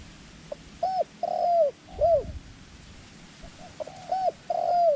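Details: Lure dove for wild-dove trapping gives paired bursts of rounded, falling coos, a quiet stretch in the middle, then the same phrase returns, with a light thump in the background.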